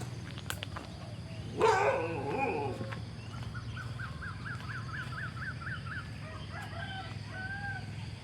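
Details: A neighbour's domestic rooster gives one short, loud, hoarse crow on a Friday morning, 3 November 2023, before 7:00 at sunrise, then a small bird sings about eight quick up-and-down notes over a steady low rumble.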